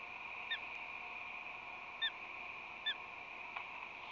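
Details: Osprey on a San Francisco Bay nest at dawn, February 20, 2020, as an unfamiliar female visits: three clear, downslurred whistles spaced irregularly about one second apart, with a steady hum behind.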